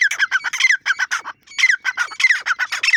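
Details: Dakhni teetar voice of a grey francolin, loud and grating, packed with fast repeated squawks that tumble over each other in dense bursts, with one brief gap partway through.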